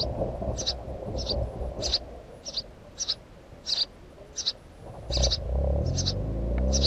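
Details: House sparrow calling in a fast, uneven series of high chirps, about a dozen notes, while a low rumbling noise grows louder toward the end.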